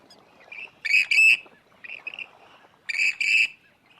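Western Grebe giving its harsh, grating two-part "creek-creek" call twice, rich in overtones, with softer similar notes between.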